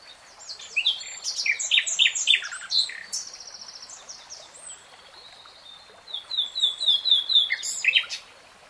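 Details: Common nightingale singing a dense, tumbling jumble of varied high chirps and buzzes, a pause, then another burst of rapid mixed notes.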